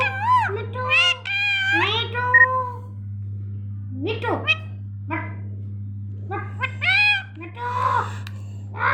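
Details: Pet rose-ringed parakeet talking indoors: a run of wavering, meow-like harmonic calls and short speech-like phrases in bursts of about a second, separated by pauses, over a steady low hum.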